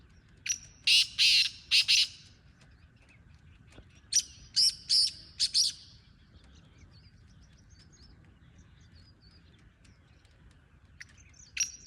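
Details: A wild black francolin calls twice: a loud phrase of four harsh, buzzy grating notes, a shorter repeat a few seconds later, then long quiet with faint distant chirps and a final single note.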